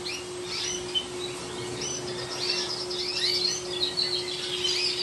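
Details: Yellow-beaked canaries kept in an aviary, with overlapping high twittering and chirped phrases running almost continuously, some rising and some falling, over a faint steady hum and background noise.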